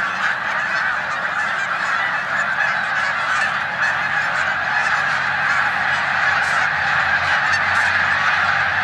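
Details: Snow geese resting in a corn field in Savannah, New York, on 14 March 2020, shortly before migration, among resident Canada geese; thick, sustained chorus of overlapping yelping honks, rapid and irregular throughout.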